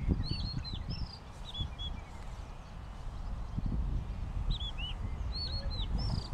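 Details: Oriental pratincole calls: many short, sharp, high chirping notes, each arched or down-slurred, in scattered bursts of two to four that suggest several birds. A steady low rumble runs underneath.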